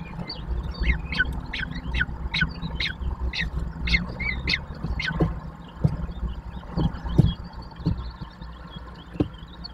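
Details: Common kestrel chicks, three young being fed at the nest in Łódź, Brzezińska Street, Poland, 19 May 2024: high, sharp squealing calls repeated in quick bursts for several seconds over a steady low urban rumble.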